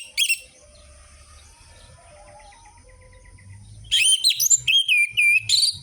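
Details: Lure audio of an orange-headed thrush for stimulating captive birds: one sharp high note, a quiet stretch with faint distant chirps, then a lively two-second phrase of twisting whistles and chips.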